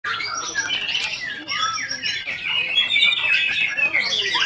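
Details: White-rumped shama (murai batu) singing a continuous run of quick warbled and whistled phrases, high and bright, with rising and falling notes tumbling into one another without pause.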